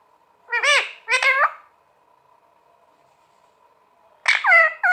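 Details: Green pet parrot, a talking bird, calling indoors: two arched, voice-like harmonic notes, a long quiet gap, then a louder harmonic phrase at the end.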